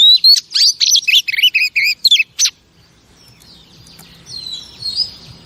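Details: Song of a female oriental magpie-robin kept as a cage bird and used to excite males: two and a half seconds of quick whistled and twisting notes, then near quiet with faint, distant warbling.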